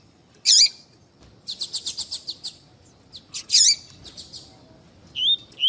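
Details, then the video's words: Female double-collared seedeater calls mixed with male song, used as audio to excite caged males: high, sweeping chirps alternating with a quick run of bright, buzzy notes and a rising whistled phrase. "Piado de fêmea de coleiro e coleiro tui tui cantando"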